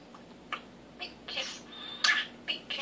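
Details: A male pet common starling practises his new mimicked phrase "big kisses for the bird": a string of short, breathy kissing smacks and squeaks with one thin whistle, about five bursts in three seconds.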